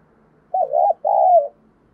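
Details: Spotted dove decoy bird cooing to lure wild doves in Vietnam: a wavering mid-pitched coo followed at once by a longer, smooth, slightly falling coo, about a second in all, against a quiet background.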